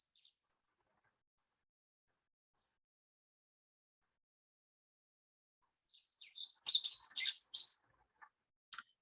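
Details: Dunnock breeding-season song, heard in New Zealand backyards and distinct from its squeaky-wheel call. A quick, high, twinkling warble tumbles for about two seconds, with a few thin, isolated notes before and after.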